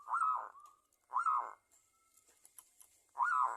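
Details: Local zebra dove used as a lure to get other doves singing: three separate rich, burry, bell-like coo bursts with short pauses between them, quiet in the gaps.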